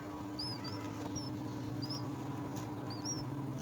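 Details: Thin, high squeaky notes from myna chicks being fed by their mother at the nest come in short bursts roughly every second, over a steady low hum.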